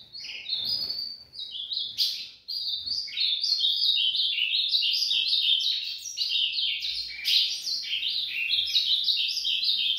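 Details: Ultramarine grosbeak singing at dawn, giving a fast, continuous stream of high chirped and warbled notes that barely pauses, with a short break near the start.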